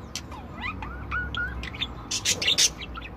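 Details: Mixed budgerigars singing, with a run of smooth whistled upslurs and flat whistles at the start, then loud rasping broadband squawks near the end.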